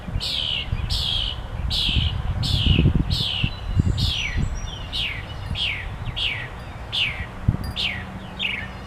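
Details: Bird singing: a steady series of bright, sharply falling whistled notes, about one every 0.8 seconds across the clip, over a low outdoor rumble with occasional soft thumps.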